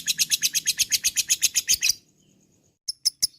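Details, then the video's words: Ngekek chatter from a lovebird: a fast, even burst of shrill, high clicks, roughly eight a second for two seconds, then a short silence and a few more separate sharp chirps. "Mancing Lovebird agar Emosi Ngekek Panjang"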